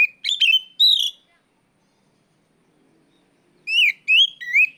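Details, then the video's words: Oriental magpie-robin, kacer, calling out a rival: loud clear whistles sliding upward and downward, a cluster at the start, a pause, then three ringing rising whistles. "NGEPLONG TERIYAKAN KACER MEMANGGIL LAWAN"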